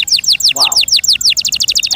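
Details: Canary singing a quick series of high descending notes, about eight per second, with one lower warbled note midway and a faster trill at the end.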